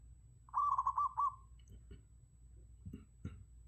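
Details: Zebra dove decoy call: one quick burst of four or five soft rolling coos on a steady mid pitch, lasting under a second, followed by quiet with faint clicks and low background hum.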